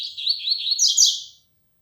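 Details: Young Double-collared Seedeater of the 'flecha negra' line, a tournament-type bird, beginning to sing more firmly: a fast, continuous high twittering warble of about 1.4 seconds, rising toward a brighter, louder finish.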